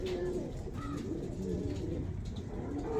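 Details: Fancy pigeons kept in Saharsa, Bihar, giving several soft, low cooing notes that overlap amid a murmur of background noise and faint voices.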